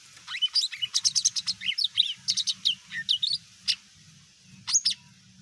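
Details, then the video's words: Provoking song of a greater green leafbird, used to make other birds answer: fast burst of varied high chirps, whistled slurs and ticks for about four seconds, a pause, then a brief final flourish. "CUCAK IJO BUNYI BIKIN BURUNG LAIN IKUT EMOSI"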